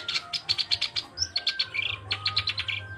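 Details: Black-browed reed warbler singing a rapid series of high chipping notes with a rising whistle and a rough warbled phrase, the notes coming about five per second over a low hum.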